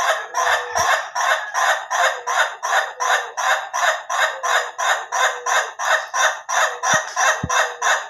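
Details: Durasi versus slow crowing compared in an Ayam Ketawa chicken: an extended, very even run of over twenty throaty laughing notes, nearly three per second, with a couple of sharp clicks.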